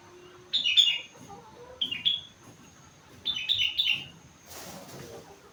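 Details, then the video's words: Sooty-headed bulbul, four months old, singing imitated rengganis phrases: three short groups of clear, falling whistled notes spaced over several seconds, followed by a brief soft rustle. "Burung Kutilang gacor isi rengganis cucak wilis"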